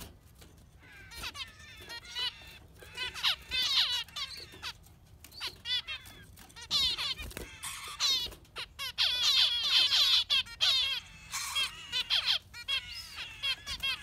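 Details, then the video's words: Yellow finch singing a long, lively song of rapid chirps and twittering trills, with bursts of buzzy notes repeated in quick succession and short quiet gaps between phrases. "Beautiful Yellow Finch giving a Concert"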